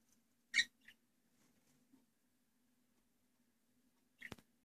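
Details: Young budgerigars in the nest box give two short, harsh, raspy chirps, one near the start and one near the end, over a faint steady low hum.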